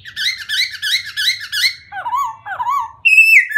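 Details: White-crested laughingthrush song with a fast run of repeated bouncy whistled notes, then two lower slurred whistles dipping and rising, ending on a sudden sustained bright whistle.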